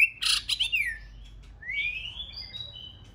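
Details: Breeding-season female white-rumped shama, fresh from her moult, singing to stimulate a male: harsh scratchy chatter opening into a falling whistle, then a long rising slurred whistle ending on thin high steady tones.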